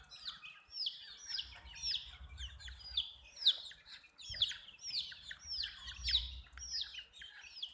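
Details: Domestic chicks, colored, give clear high arched peeps in steady rows, several birds calling nearly in rhythm, with a soft low hum underneath.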